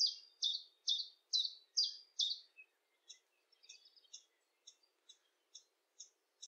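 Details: UK common chiffchaff song in a field recording: six loud, evenly spaced chiff-chaff notes near two per second, then fainter, scattered high notes trailing off with longer gaps between them.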